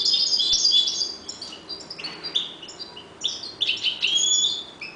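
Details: Caged European goldfinches, breeding in a 1.20 m cage, deliver dense high tinkling twitters and buzzy trills, with a fuller burst of chattering notes in the final two seconds.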